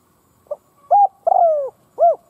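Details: Spotted dove kept as a decoy, cooing to provoke rival doves: one phrase of a soft short note, a clear hoot, a longer falling coo and a final rounded coo.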